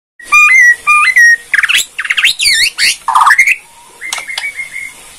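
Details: White-rumped shama from Borneo, a song meant to provoke other shamas into answering: loud clear whistles stepping up and down, then harsh crackling phrases, a low rich note and a final run of short repeated whistles.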